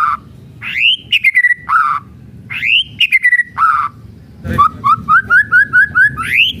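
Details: Kretekan singing by a white-rumped shama: two swooping whistle-and-chatter phrases with low fluty endings, then a quick run of seven or eight evenly spaced, rising chip notes.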